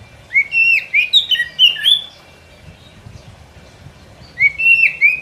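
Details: Oriental magpie-robin used as a forest trapping lure, singing bright, sliding whistled phrases with quick twisting notes for two seconds, then a pause and a fresh burst of rich whistles near the end.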